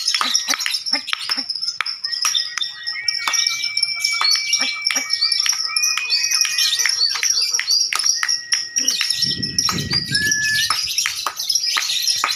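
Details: At a lovebird singing contest, a relentless high, buzzy chatter runs throughout in the ngekek manner, with long steady whistles from other birds and a brief low rumbling noise near the end.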